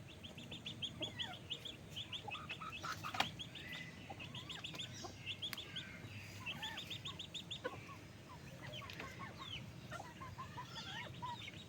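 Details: Raised backyard chickens fed during the day, dated 06/01: a flock's chorus of quick, clipped chirps and clucks in bursts, with a sudden sharp tap around three seconds and softer calls later.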